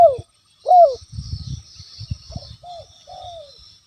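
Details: Spotted dove giving lure coos to provoke a rival: two clear falling coos open, then low rumbling and knocking noises while softer, fading coos continue under a faint high hiss.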